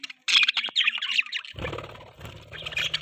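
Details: Budgerigars feeding in the morning, bright squeaky chirps and warbled chatter, then a low rumbling noise underneath the continuing calls.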